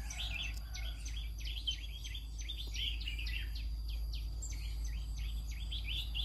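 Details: A green-cheeked conure's morning song: dense, continuous chattering of short squeaky and whistled notes, quick rising and falling chirps tumbling one after another over a steady low hum.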